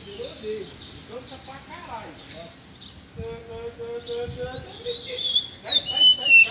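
A chestnut-bellied seed finch gives high, clear whistled notes and quick chirps, strongest toward the end, while a man talks briefly in the background.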